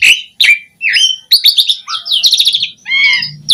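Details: Varied Asian pied starling song packed with mimicked fill-ins, meant to lure other starlings into song: short dipping whistles, then rapid rattling trills and buzzy chatter, with a faint low hum underneath.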